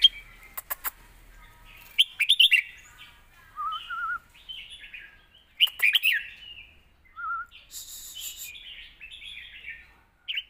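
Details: Caged red-whiskered bulbul giving a point-scoring song with full tone and phrasing, kept for training young birds: bright warbled phrases in short bursts, with a low wavering whistle between them and sharp clicking taps.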